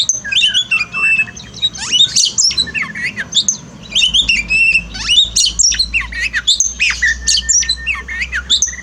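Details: Oriental magpie-robin song played as therapy for a bird that sings little after moulting: a dense, loud run of varied high whistles, chirps and rapid trills packed with scarcely a pause.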